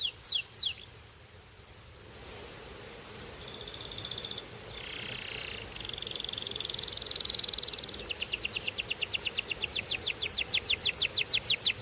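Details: Belgian canary song: a few sharp swooping notes, a hushed stretch of soft buzzy rolls and thin warbling, then an extended fast trill of crisp repeated notes.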